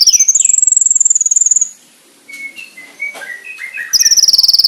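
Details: A konin sings master song for training: a sustained high whistled sweep over a fast pulse trill, then a pause with scattered lower chirps and whistles from other birds, before the high trill resumes.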